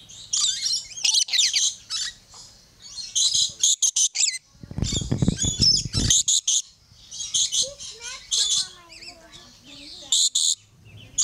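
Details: Captive yellow-streaked lory at Lion Country Safari, South Florida, uttering repeated shrill, scratchy squawks and chirps in rapid bursts, with a short spell of broadband noise midway and softer twittering notes near the end.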